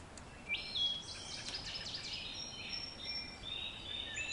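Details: Wood Thrush, a brown thrush related to the robin that likes creeks and tall trees, singing a flute-like, ethereal song in the background: clear whistled notes and bright slurred phrases high in pitch, with steady faint background hiss.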